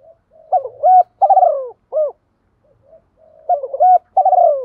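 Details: Spotted dove cooing meant to rouse decoy birds quickly. A soft lead-in is followed by a grouped phrase of hollow, bending coos, then a pause, then the phrase repeats. The setting is otherwise silent.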